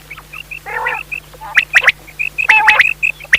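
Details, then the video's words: Quail from Pakistan, sound used for hunting at night: quick series of short piping notes alongside rasping harmonic bursts and sharp clicking spikes, with a constant low electrical hum underneath. "Batair ki awaz raat k shikar kalea awaz"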